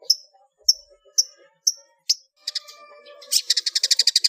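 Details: Song of a long-tailed shrike in the full-fill ngeplong isian style, a master for training cage birds: clear high notes spaced half a second apart, then a chattering passage that speeds into a rapid, regular rattle.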